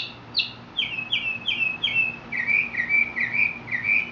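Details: Mexican mockingbird song: whistled phrases that shift in pitch, first a few high slurred notes, then a run of falling whistles, then lower, buzzier repeated notes.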